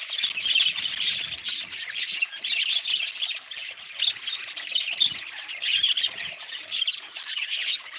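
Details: Several budgerigars keep up a busy chorus of scratchy squawks and quick chirps, bursts of louder notes rising from a constant bed of warbling.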